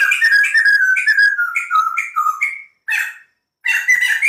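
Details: Loud, fluent song of a white-crested laughingthrush: a fast run of linked whistled notes that gradually drop in pitch and end on a rising slur, followed by two short harsh chattering bursts.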